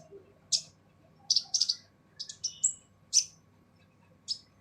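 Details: Sunbird called kolibri ninja, harsh song for teaching other birds: clusters of sharp, high chips with one short rising whistle between quiet gaps, over faint hum.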